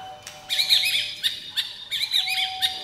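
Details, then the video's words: White-rumped shama singing in bursts of quick, chirpy, twisting whistled notes, two phrases separated by a pause, over a steady faint hum-like tone throughout. "CHÒE LỬA HÓT KÍCH NỔI NHIỀU DỌNG"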